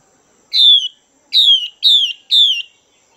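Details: Female Chinese hwamei, described as good at stimulating males, giving four loud, high, slurred notes that each drop in pitch, the first alone and then three close together, with a silent background.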